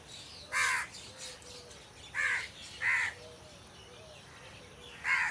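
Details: Crows among trees giving loud harsh caws, four separate calls spaced about one to two seconds apart, with faint softer bird chirps between them.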